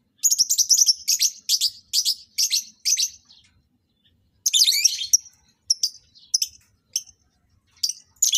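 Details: Lovebirds being matched for breeding; a quick series of harsh, scratchy chirps, one every third of a second, then a dense grating squabble and scattered sharp squeaks.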